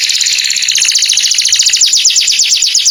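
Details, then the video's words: Canary singing at morning time: one dense, very rapid, high-pitched trill held steadily for the whole stretch, bright and rattling. "O SOM DOS CANÁRIOS FAZ OUTRA EMOÇÃO DOS CANÁRIOS E ALEGRIA A VOZ DA MANHÃ"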